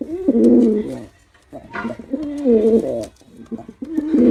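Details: Loud, rich cooing from a performing male pigeon: three throaty, bubbling phrases, each swelling and wavering, separated by short pauses.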